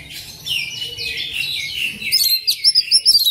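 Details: Magpie-robin song used to rouse pet birds into singing: slurred whistles and rising-falling phrases high in pitch, turning into a quick run of sharp, bright notes in the second half.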